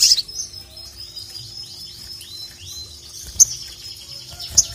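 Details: Ruby-cheeked sunbird song used to call a rival, a quick string of high downward-slurred notes over a continuous thin high tone, with sharp ticks.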